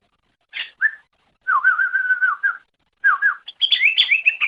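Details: Greater green leafbird (cucak ijo) in a masteran recording used to tutor pet birds: a few short notes, then a lower wavering whistled trill, followed by higher rippling twittered phrases, on a clean, quiet background.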